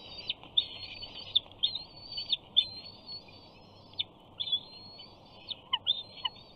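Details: Bald eagle eaglet at a Big Bear nest, 28 June 2019, begging for fish with screes after its father lands on a perch above the feeding mother; a run of high, thin, level whistles, each ending in a sharp downward flick, repeated in quick succession.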